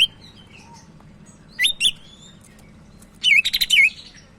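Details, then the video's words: Lively Sumatran leafbird song used for tutoring other birds: a thin sliding whistle, then a pair of bright chirps, and later a fast run of looping warbled notes, with a faint low hum behind. "Burung Cak Ijo Medan Gacor"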